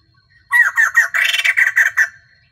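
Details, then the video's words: Female white-crested laughingthrush kept as a caged decoy to rouse males, singing throughout the day. After a brief silence, a burst of about ten loud, scratchy, chattering notes pours out in quick series. "Tiếng chim bồ chao mái"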